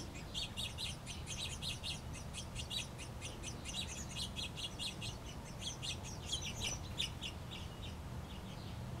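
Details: House Finch chicks, a pair near fledging, begging while being fed by their mother and father in the nest: dense, insistent high chirping in fast irregular bursts across the whole stretch, over a faint low rumble.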